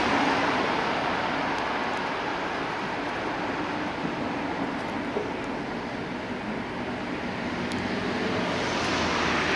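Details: Steady road and rail traffic roar fills the street scene throughout, with no animal voice standing out.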